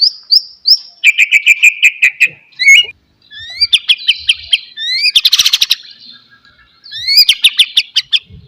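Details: Oriental magpie-robin singing, used to prompt a silent bird to sing: clear whistled notes, rapid repeated chips, upward-sweeping whistles and a dense buzzy burst, separated by short pauses.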